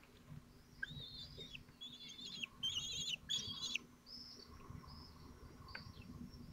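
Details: Falcon chicks, twelve days old, at a nest in Théding, France, on 22 June 2023, taking turns trying to swallow large prey. Thin, high squealing calls in short bursts, with two louder harsh squeals near the middle.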